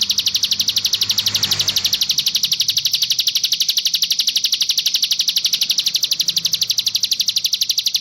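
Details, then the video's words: Ciblek gunung, or Sunda warbler, singing one of six song variants in a tutor recording for young birds: steady high rattling ticks repeated four times a second without a break for eight seconds, with a brief low rumble early on. "Ciblek Gunung (CIGUN) Masteran Burung Bahan -- 6 VARIAN SUARA YG BELUM KAMU KETAHUI"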